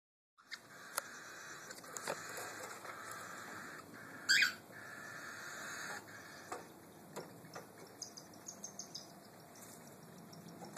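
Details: A cockatiel chick gives a steady, raspy, buzzing begging call while its mother feeds it corn, with one louder harsh squawk.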